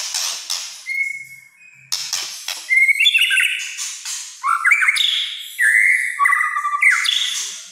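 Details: White-rumped shama in the 'kretekan' song style: harsh crackling bursts mixed with sustained and stepped clear whistles, shifting between high and mid pitch in a continuous varied stream.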